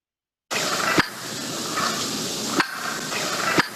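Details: A wild turkey in North Carolina gives three sharp, abrupt alarm notes spaced one to one and a half seconds apart, over a steady background hiss; the call is made when the bird thinks it has seen danger.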